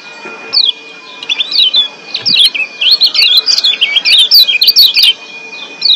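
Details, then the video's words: Wild-caught Lombok white-eye, the yellow kecial of Lombok, excited in breeding condition, giving a lively 'ciak' twitter: quick high chirps and slurred whistled notes tumbling together almost without pause, with a steady faint electronic hum underneath. "Ciak Joss Kecial Kuning GEBOKAN LIAR Ampuh Naikin BIRAHI Bikin AKTIF BUNYI"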